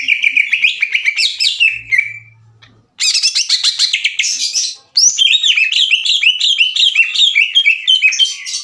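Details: Greater green leafbird in loud, harsh challenging song, provoking rival leafbirds to fight; rapid chattering trills and slurred whistles in bursts, broken by two short pauses, the final burst a quick series of rising chirps.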